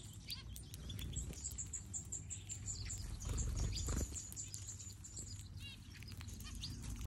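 Finches chirp in a busy chorus of high, thin tweets, several every second and overlapping, over a steady low rumble and some pattering.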